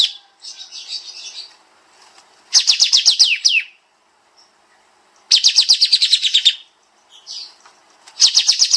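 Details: Bulbul known as kapas tembak, master song for training cage birds: soft warbling followed by repeated bursts of fast, piercing descending notes in dense trills.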